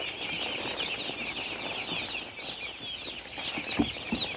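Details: Baby chicks on a farm give a softer wash of high peeping, with fluttering and scuffling sounds and a few louder knocks near the end.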